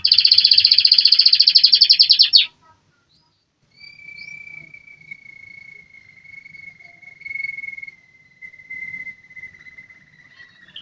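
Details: American Singer canary song: a dense buzzy roll lasting over two seconds, a short pause, then one long, steady whistled tone held for several seconds and slowly falling in pitch.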